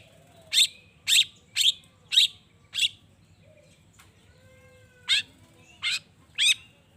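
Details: Long-tailed shrike in full voice, used to provoke other shrikes into replying and singing. Five loud grating notes come about half a second apart, then a short pause with faint whistles, then four more rasping bursts.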